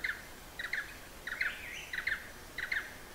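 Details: Blue-eared barbet calling in Hala-Bala Wildlife Sanctuary, southern Thailand: five evenly spaced bursts of clustered knocking notes, roughly every two-thirds of a second, with a faint higher whistle in the middle.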